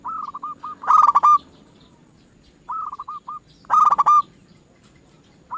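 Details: Zebra dove lure song meant to get other doves singing: phrases of quick, bubbling coos, each with a harsh, buzzy loud burst, repeated about every three seconds in a quiet setting.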